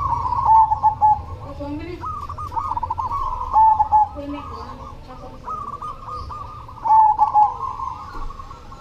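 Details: Cemani zebra dove singing steadily. Soft cooing phrases with a rapid trembling trill and a clipped ending note repeat about every three seconds. A faint low hum sits underneath.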